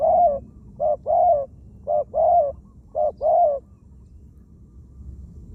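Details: Spotted dove used as a decoy bird to lure wild doves, giving low hollow coos around three short phrases, each a brief note followed by a longer rolling coo, repeated about once per second over quiet rural background.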